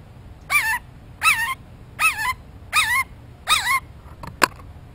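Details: Close-up Blue jay looking for a peanut gives five loud, wavering, whiny notes with bending harmonics, one roughly every 0.75 seconds, followed by a sharp click.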